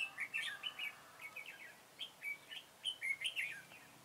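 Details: Red-whiskered bulbul recorded on 21 September 2017 during trapping with a decoy bird: a lively run of short warbled, whistled phrases, rising and falling, given in quick bursts about every quarter second with brief gaps.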